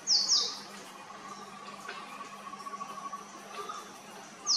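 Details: Male purple sunbird calling with piercing, high, short notes in a quick pair at the start and a single one at the end. Between them come softer, lower chirps, with faint background hum throughout.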